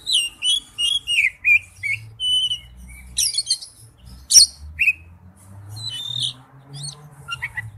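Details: Forest-style song of an Oriental magpie-robin: a series of repeated high whistled phrases, then thin pure tones, a burst of scratchy notes and a sharp click, followed by sparse chirps and soft twittering.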